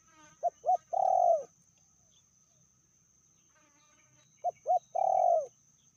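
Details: Spotted dove, described as a hen fiercer than the male, calling at moderate volume: two short rising coos then a long sustained purring coo, the phrase repeated about four seconds later; faint higher chatter and a steady high hum behind.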